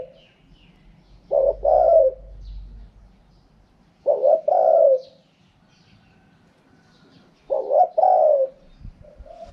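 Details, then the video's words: Spotted dove repeating its wild-style 'karom pa' coo three times, about every three seconds: two short coos then a longer, descending throaty note, with a soft low rumble early on. "เสียงนกเขาใหญ่ คารมป่า 100"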